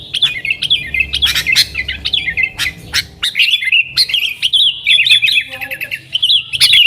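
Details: Yellow-vented bulbul in lively 'nggaruda' style singing, played as a lure to call wild sooty-headed bulbuls: rapid chattering, bubbly warbled notes and sharp chirps, delivered in dense bursts with short pauses.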